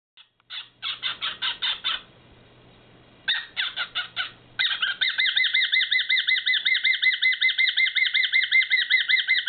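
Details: Male whiteface cockatiel, caged pet, giving a rare bizarre call when excited; rapid repeated harsh two-toned squawks, about two or three per second, with short pauses between bursts, ending in a long steady run.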